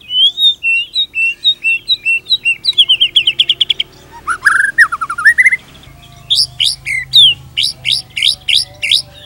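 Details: White-rumped shama from Indonesia in lively pancingan song, used to tutor other shamas: wavering whistled notes, a dense buzzy burst, a rising slurred phrase, then a run of sharp high repeated chips.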